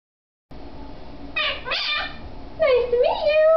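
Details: Pet male monk parakeet, a captive quaker kept indoors, imitating human speech: two raspy, harmonic speech-like phrases after a quiet start, the second ending in a clear tone that dips and rises, with faint room noise.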